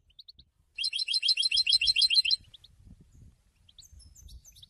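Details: A European goldfinch sings: a few thin notes, then a loud, rapid burst of bright, metallic twitters repeated about three times a second, ending abruptly and followed by faint high chirps and low rumble.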